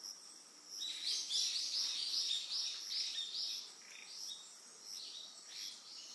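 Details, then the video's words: Eastern yellow wagtail on Amami Oshima, Japan: a loud run of high, sharp, rapidly repeated chirps for about two seconds, then softer scattered notes, over a steady high insect drone. "ツメナガセキレイ yellow wagtail"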